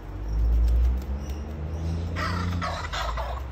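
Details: Fighting kookaburras give a quick run of harsh, rasping, cackling bursts near the end, after a deep low rumble of wind or handling noise.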